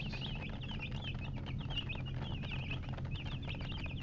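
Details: Baby chicks give rapid, squeaky chirps in bursts, a short lull near the middle, then resume, over a steady low hum and soft tapping.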